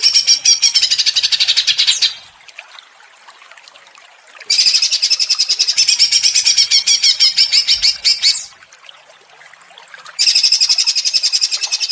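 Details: Provoked greater green leafbird in ngentrok song: three bursts of fast, rattling high notes, each lasting a few seconds, separated by quiet gaps.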